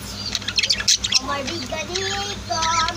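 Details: Budgies and lovebirds kept at home give high chirps and a run of drawn-out, tonal warbling notes at middle pitch, over a low steady hum.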